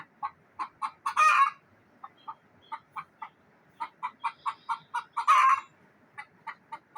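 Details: Village hen in Neelum Valley, Kashmir, making a frightened noise: rapid, uneven clucks repeated several times a second, with two loud, rasping squawks bursting out between the runs.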